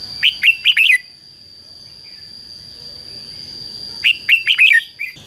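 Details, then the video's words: Red-whiskered bulbul in competitive song for luring wild birds: a tight burst of four bright, bubbling notes, about three seconds of quiet, then another lively burst of five, over a constant high-pitched tone. "CHÀO MÀO HÓT GỌI BỔI CHÉ CĂNG ĐÉT QUÁ HAY - KÍCH CHIM NHANH CĂNG LỬA"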